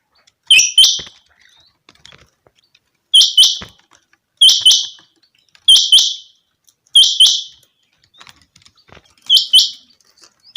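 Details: A changa (chinga) quail gives sharp, high, two-part chirping calls in quick bursts, repeated roughly every one to two seconds against a quiet background.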